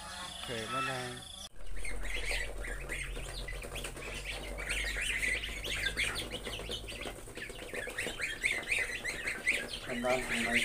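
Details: Adult geese with their goslings: after a brief different sound at the start, a dense, continuous chorus of high, rapid peeping chirps from the young birds, with low background rumble.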